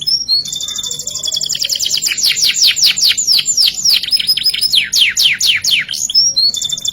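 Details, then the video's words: Canary in ngerek style, song packed with fillers: brief whistled notes lead into a long chain of fast, steeply falling sweeps repeated several times a second, closing with high thin whistles. "Masteran Suara Burung Kenari Full isian Gacor ngerek Gaya Mewah Istimewa"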